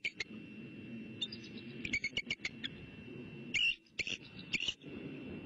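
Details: Female bald eagle on her nest in Southwest Florida at 2:42 am, 19 October 2015, calling out after stretching, answered by her mate, staking claim to the nest; short high chirps in scattered bursts over a steady hum and low rumble.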